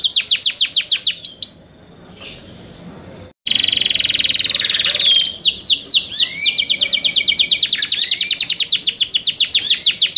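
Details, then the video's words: Young kept canaries sing rapid trilled phrases, pause briefly, then launch into a long buzzy roll followed by quick descending notes and a sustained trill. "MEDIOUS SONG OF YOUNG CANARIES"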